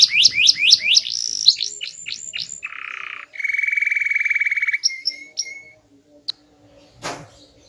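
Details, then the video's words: Small-bodied canary singing loudly with variety: rapid downslurred notes, a low buzzy rattle, a long steady mid-pitched trill, then scattered short chips with a brief click. "Burung Kenari Gacor, Body Kecil Suara Keras Merdu Bervariasi"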